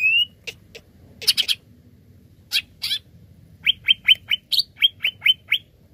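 Greater green leafbird giving loud, bright whistled notes, a series of about eight clear chirps near the end, with harsher scratchy bursts earlier.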